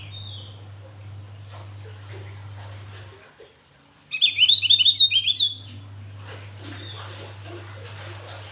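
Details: Javan grey-throated white-eye giving a short, loud burst of rapid, high chirping twitters after a brief quiet pause; a faint whistle and steady low hum fill the rest.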